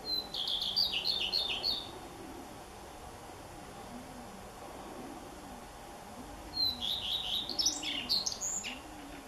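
Two short, high redstart phrases about five seconds apart, each opening with clear descending notes and ending in a quick, scratchy twitter, over a faint low hum.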